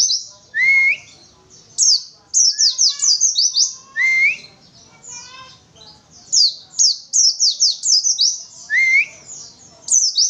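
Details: Untrained pleci, the Oriental white-eye, firing 'witwitwit' phrases: quick strings of high slurred down-sweeping notes broken by short upward-sliding whistles, repeated through ten seconds with brief pauses between bursts.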